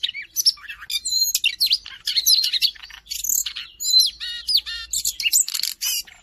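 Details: Siberian rubythroat song recorded in Jakarta, March 2025, used as tutor material for songbirds: quick, varied high phrases mixing rising whistles, slurred notes and rattling trills, delivered almost without break, with a faint low hum underneath.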